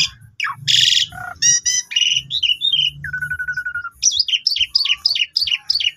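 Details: Young Asian pied starlings singing, used as a lure to prompt other starlings into full song: a rich, varied medley of sharp chirps, a sustained whistled note, then a rapid series of repeated squeaky rising-falling notes.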